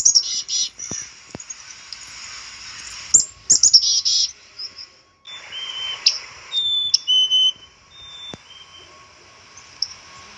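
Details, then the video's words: Black-capped chickadee with scratchy chatter and high chips early, then clear two-note whistles, a higher note followed by a slightly lower one, later in the clip. "black cap chickadee bird"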